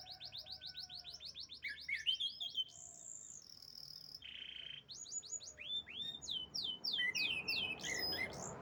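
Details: Champion canary delivering a varied song: rapid trills, a high pure whistle, a lower steady whistled tone and a buzzy note, then returning to fast sweeping trill phrases.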